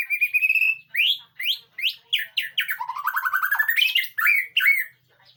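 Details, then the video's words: White-rumped shama song used as training material to provoke a response: a rising whistled note, a series of sharp upswept calls, then a fast rattling trill and varied whistles. "masteran burung murai batu,di jamin nyahut.."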